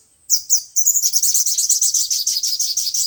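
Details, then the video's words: Speaker-lure recording of five-colour and seven-colour sunbird song for trapping birds: two loud high chips, then a fast, even trill of very high notes repeated about six times a second to the end. "Tiếng chim hút mật 5 màu và 7 màu dùng để bẩy loa"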